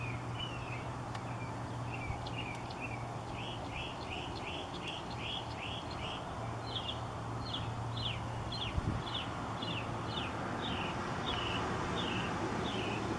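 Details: A Northern Mockingbird sings in the background at a Brighton site, a rapid run of repeated chirping notes over a steady low hum.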